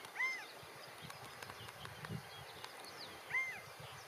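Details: A male California quail sitting on a fence, calling to others in his group, gives two short, clear arched notes about three seconds apart, over a steady hiss of outdoor background noise.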